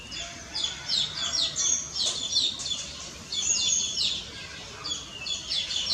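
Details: Common myna (Acridotheres tristis) producing dense bursts of sharp, high chirps and slurred whistles, grouped into chattering phrases separated by brief pauses.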